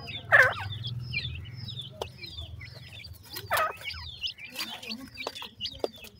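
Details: Several black francolin chicks give thin, high, curving peeps scattered through the clip, with two louder broadband squawks near the start and middle over low background hum.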